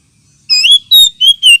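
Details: Oriental magpie-robin sound for luring and as therapy for birds lacking aggression: four loud, clear whistles in quick sequence, the first rising, others level or gently falling.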